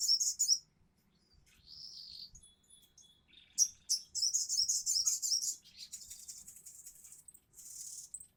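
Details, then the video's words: High-pitched crimson sunbird song in konslet ngobra style, a gacor singer: bursts of rapid sharp chips alternate with a thin sustained whistle and a short buzzy note, then long runs of dense, shrill twittering with brief pauses. "SUARA BURUNG SOGOK ONTONG GACOR KONSLET NGOBRA"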